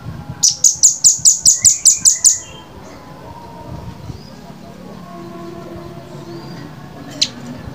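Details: Velvet-fronted nuthatch, a clean training master: a fast volley of around ten sharp, high chips over two seconds, then a quieter stretch with faint background birds and a single chip near the end.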